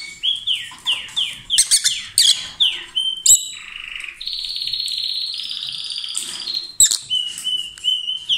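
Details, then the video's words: Pair of lovebirds calling loudly as they kiss and swap food, giving a series of shrill, downward-sliding squeaks, then a sustained buzzy, rasping tone of about two seconds, then more high squeaky notes. "Gli inseparabili | 20minutes Love birds Sound"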